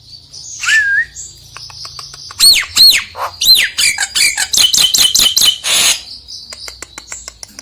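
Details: Nias hill myna song used to spur a reluctant myna to sing: a rising whistle, then loud arched whistled notes followed by a quick series of sharp clipped calls over a faint high hiss.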